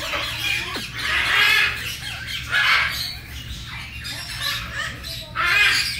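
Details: Baby red-tailed grey parrot expressing fondness for its friend with four loud, rough squawks spaced about a second and a half apart, plus one brief downward whistle early on and a faint background hum.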